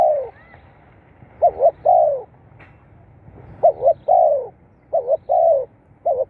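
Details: Spotted dove, its call played to stir captive birds into calling. Repeated phrases of two short wavering coos and a longer falling coo, about one phrase every 1.3 seconds, with a faint click and low hum behind.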